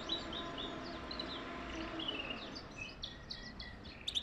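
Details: European goldfinch song, played to encourage mating. A lively, fast twitter of high liquid notes and brief buzzy trills runs throughout and ends in a cluster of sharp, clicking chirps. Faint background hiss.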